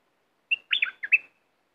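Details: Red-whiskered bulbul kept in a cage and singing fiercely in competition with wild birds: a brief clear whistled note, then a tumbling burst of four slurred notes dipping and lifting, under a second in all, with no other sounds.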